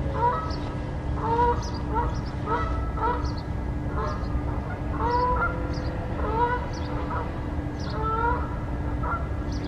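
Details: A Brown-headed nuthatch nest building at Beaver Marsh, Durham, North Carolina, on 4 February 2021, gives nasal, squeaky-toy notes in quick pairs and short runs, about two per second, over a steady low hum and rumble.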